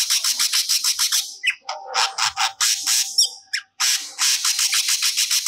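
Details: Grey-cheeked bulbul in active song, pouring out stored material: loud rapid raspy strokes, then squawky varied notes, then the fast raspy series resumes.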